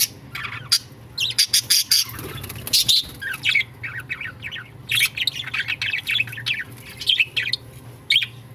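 Budgerigars chatter in quick bursts of scratchy, chirping squawks with brief pauses between them.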